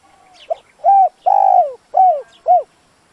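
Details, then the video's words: Spotted dove used as a lure for wild doves, giving a short phrase of a soft lead note, then four full, hollow coos with a drawn-out second note. "Tiếng chim cu gáy dùng kích bổi lâu nổi, bổi khó cỡ nào nghe là gáy"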